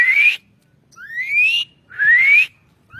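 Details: Asian pied starling sound used as a training recording for songbirds: three loud, clear, upward-sliding whistles, each under half a second, separated by brief silences, with faint low background hum.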